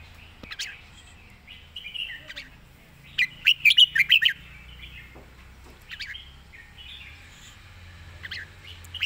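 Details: Red-whiskered bulbul with a rapid 'zone' style song: soft scattered chirps, a fast burst of sharp bright notes mid-way, then lighter warbled phrases and isolated chirps.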